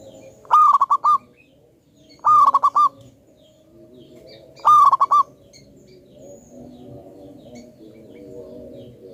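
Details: Local wild-type perkutut (zebra dove), a very vocal lure bird with a strong voice. It gives three loud phrases of quick rolling coo notes about two seconds apart, over a steady low background murmur.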